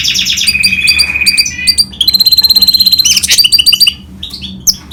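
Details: Goldfinch and canary hybrid singing a varied, fast song: bright repeated chirps, a sustained whistled note, rapid trills and buzzy rattles, all high-pitched, with a faint low hum behind.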